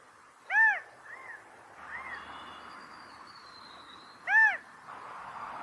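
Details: California quail; mating call; mating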